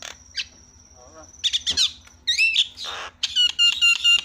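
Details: Javan myna calls from a lure meant to set other mynas calling: a long thin whistle, scattered squawks, then a harsh rasp followed by ringing repeated whistled notes.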